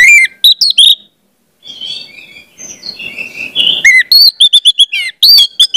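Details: Orange-headed thrush song used as a lure to train spotted young birds to sing: loud, clear whistled phrases sliding and dropping, then a softer, quieter warbling stretch, and finally rapid bursts of bright, repeated notes.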